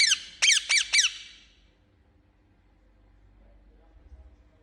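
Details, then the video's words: Indian ringneck parakeet, a pet bird, giving a burst of four harsh, rising-falling squawks within one second, followed by near silence in a quiet room. "Amazing Chirping Sound Of Parrot"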